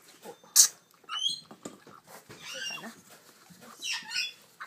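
A grey parrot chick gives harsh, raspy, wheezing begging calls in short irregular bursts, broken by a few higher squeaky notes.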